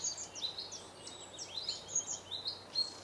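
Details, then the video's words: Long-tailed tit singing: a busy run of very high, thin, short notes and tiny slurred twitters, some notes quickly falling, scattered across three seconds with brief gaps, over faint background hiss. "Long tailed tit singing"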